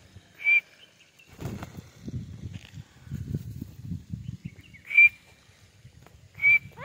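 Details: Female white francolin (white teetar) calling: three short, clear, high whistled notes, one near the start and two close together near the end, separated by a long gap filled with low rumbling background noise.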